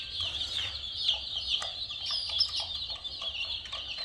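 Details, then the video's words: A crowd of colourful chicks gives shrill, rapid peeping, countless high notes overlapping into a continuous twitter above a soft low rumble. "Murgi Chicks Chirping Sounds"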